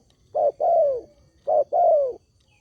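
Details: Spotted dove lure call meant to make other doves reply, heard as two phrases, each a short hooting note followed by a longer, slightly descending coo, clear against a quiet background.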